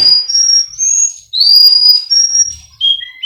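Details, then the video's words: Miami, Florida breeder's Russian canary in a song training recording, giving held whistles, a sharp rising sweep into a long clear note, then lower stepped whistles, with faint low knocks in the room. "Canary Singing Birds sounds | Melodies Russian Canary Bird Sounds"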